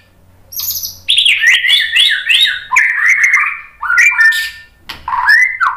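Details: White-rumped shama, a murai batu singing in bursts of loud whistled, sliding phrases with harsh rasping notes between them, sung as a lure to spur other birds into full song.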